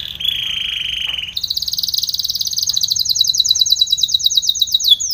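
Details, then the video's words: A canary, labelled a Spanish Timbrado in a training song, opens with a steady, high whistled note, then breaks into a long, fast metallic roll of clipped pulses, about ten per second. "TIMBRADO canary singing / Spanish Timbrado canary song for training"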